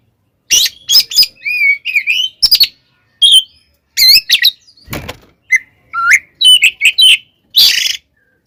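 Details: Fighting song of an Oriental magpie-robin, used to provoke rival magpie-robins: rapid sequence of bent whistles and harsh rasping bursts, with one low thump midway.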